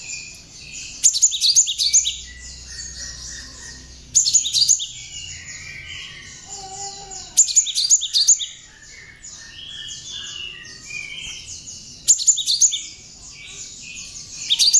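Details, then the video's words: Cinereous tit, locally gelatik batu or wingko, singing with bar-winged prinia (ciblek) phrases for tutoring other songbirds: loud bursts of quick, piercing high notes every three to four seconds, with softer continuous twittering and chirps between them. "Kicau Burung gelatik batu (Wingko) isian ciblek cocok buat bahan masteran"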